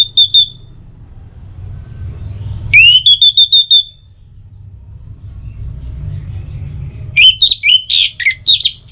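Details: Orange-headed thrush singing as a morning and evening lure for kept birds: a single whistled note, then an upward sweep with a run of clipped notes, and after a pause a varied, warbling phrase of looping notes.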